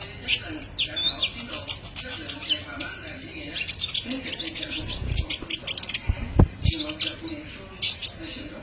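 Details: Sunbird, known as kolibri ninja, singing as a training recording: rapid, very high, thin twittering and chirped notes in irregular bursts, with a few soft knocks and low background sounds.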